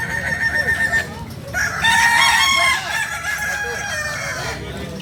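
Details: Kukuak Balenggek fowl from Solok, West Sumatra: a held crow at the start, then a louder, bright crow near the middle that fades out, with other birds faint behind it and steady noise.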